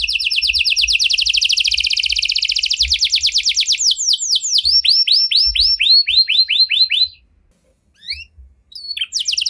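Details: Canary singing in 'cengkok mewah' style: a long, dense, rapid trill giving way to slower, evenly spaced downward swoops, then a brief pause and scattered high notes.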